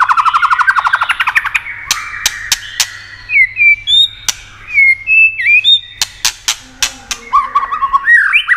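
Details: Song of a white-rumped shama, used to stimulate other shamas: a fast buzzy trill at the start, then short clear whistles and many sharp clicks, ending in a jumble of quick rising notes.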